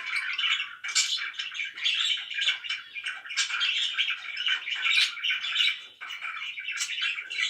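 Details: Budgerigars kept as pets make loud, lively chatter: clustered high chirps and buzzy warbles come in uneven bursts, swelling and dipping every second or two.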